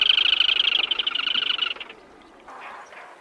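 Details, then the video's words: A black-tailed crake gives a fast, high, even trill of about a dozen notes a second, lasting nearly two seconds before fading, then a faint softer burst. "เสียงนกอัญชันหางดำ Black-Tailed Crake Sound"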